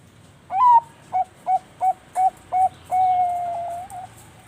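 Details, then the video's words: Bangkok-type zebra dove from a breeding farm in Bekasi, West Java, Indonesia, singing in the lively manggung gacor style: a loud rising opening coo, five short clipped cooing notes about every third of a second, then one long sustained coo. "PANCINGAN BURUNG PERKUTUT BANGKOK MANGGUNG GACOR"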